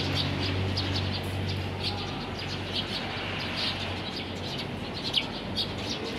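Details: Eurasian tree sparrows being fed outside a building give short, bright chirps, scattered unevenly about twice a second, over a steady low rumble of traffic.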